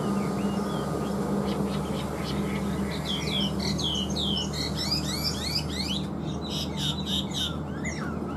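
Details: Newly caught, large-bodied caged Chinese hwamei singing: a run of quick, varied slurred whistles and rising and falling sweeps in the middle and end, over a steady low mechanical hum.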